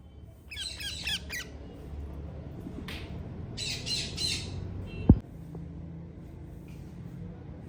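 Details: Hand-tame ringneck parrot giving harsh, raspy squawks in short bursts, with a sharp knock midway over a steady low hum.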